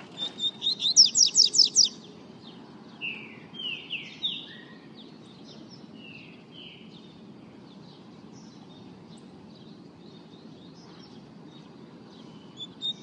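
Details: Double-collared seedeater (coleiro), kept bird; opens with a fast burst of high sharp trilled notes, then several slurred descending whistles, followed by a long quiet stretch with faint background noise.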